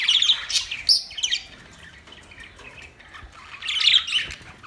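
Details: Budgerigars chirping while playing: high, rapid warbled twitters and squeaky chirps come in two lively bursts, with quieter chatter between them over a soft background hiss.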